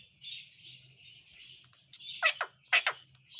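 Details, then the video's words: Ringneck parrot giving a burst of loud, harsh rasping squawks, four or five sharp shrieks in quick succession after a soft background of distant twittering from small birds. "Ringneck parrot talking"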